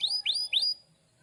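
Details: Canary song fragment from a lively singer used for tutoring young canaries: three clear, rising whistled notes in quick succession, each sweeping sharply upward, within about three-quarters of a second.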